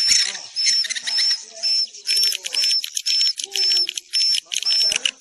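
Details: Swiftlet roosting lure: quick repeated short whistled chirps, about two per second, over harsh high chattering that swells and drops in bursts, with faint lower warbling notes in between.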